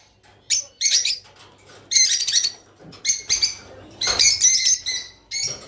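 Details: Rice finch singing to spur courtship among kept birds; sharp high chips and brief buzzy chatter come in spaced clusters, each lasting under a second, over a quiet low background hum.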